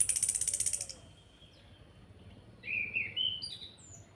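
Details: Orange-headed thrush giving kretekan calls, used as a lure to provoke other birds to sing: a rapid, very high rattling burst of about a second, then a pause and a few slurred whistled notes.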